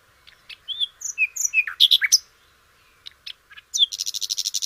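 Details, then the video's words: Sikatan londo, a flycatcher, kept as a songbird for training others: varied high whistled notes and short rising slurs, a burst of sharp chips, then a fast even trill of buzzy notes at the end. "kicau burung sikatan londo"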